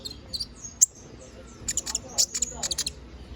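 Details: Canary singing energetically in the 'gacor ngobra' style, used as a master song for training magpie robins: scattered high, sharp chirps and short bursts of clipped notes, with a faint low hum behind.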